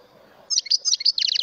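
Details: A mutation European goldfinch delivers a quick, bright twittering phrase of high tinkling chirps, ending in a short rapid run of repeated notes, over faint low hum.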